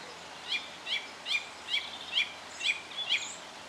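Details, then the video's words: Song thrush at Cherry Hinton Hall on a dreary winter's morning, repeating a short, bright, chirpy phrase about eight times in quick succession, roughly every half second, over a soft background hiss. "song thrush"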